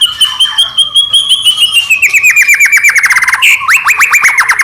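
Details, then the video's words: White-rumped shama song meant to provoke other shamas into singing: a long high whistled note gliding slowly downward into fast repeated ticking notes, then a harsh burst and more rapid clipped notes. "murai batu gacor AMPUH buat PANCINGAN murai batu agar bunyi"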